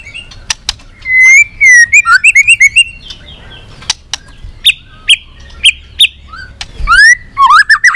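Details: White-rumped shama long song for provoking rival shamas: varied fluty whistles, a run of quick chattering notes, then repeated short level whistles with sharp clicks and a final rising, looping phrase.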